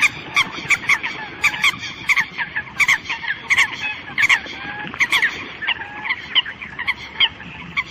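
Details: Eurasian coots calling to gather the flock, a steady run of sharp, staccato honks roughly every half second with other birds chattering beneath.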